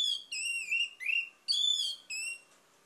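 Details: Orange-headed thrush lure song: a string of five long, pure whistled notes, some level, one sharply rising, over a faint background hiss.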